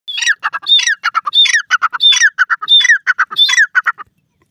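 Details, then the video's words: Grey francolin, locally called Dakhni teetar, calling in Pakistan: loud ringing phrases, each opening with a high whistled up-and-down note and followed by three or four lower harsh notes, repeated about every 0.7 seconds for four seconds. "pk dakhni teetar ke awaaz, pk grey francolin bird sound"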